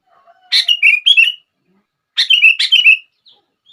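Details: Two quick phrases from a sooty-headed bulbul, meant to trigger other bulbuls to sing; each a bubbly run of five or six liquid, slurred notes falling in pitch.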